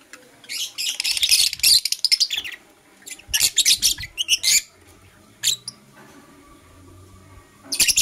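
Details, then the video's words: Blue Opaline and Parblue Euwing Opaline lovebirds in the morning give a long harsh burst of high chirping, then shorter clusters of sharp notes separated by quiet stretches. "Lovebird Chirping Sounds"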